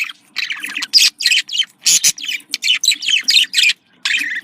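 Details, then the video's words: Budgerigar contact calls described as cheerful: quick chirping warbles and scratchy notes in short bursts, separated by brief pauses, with one low rustling thump near the middle. "Voz decomunicación.de loro australiano /sonido de llamada de periquito / se sentirá feliz"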